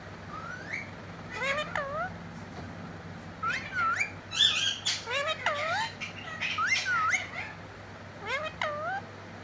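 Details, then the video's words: Parrot talking, said to repeat "mitthu mitthu": squawky, harmonic syllables that rise and fall, given in short bursts with gaps, then a final two-part phrase near the end, over a low steady hum. "Cute parrot talking mitthu mitthu"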